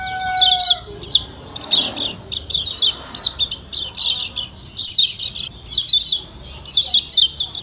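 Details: Lombok white-eye (kecial kuning) from Lombok: dense, repeated high-pitched descending chirps in irregular bursts, with a brief steady tonal whistle at the start.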